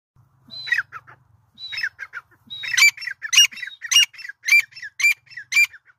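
Francolin giving loud, harsh, grating calls in rapid clustered bursts, roughly every half second, building in intensity; faint low rumble early on.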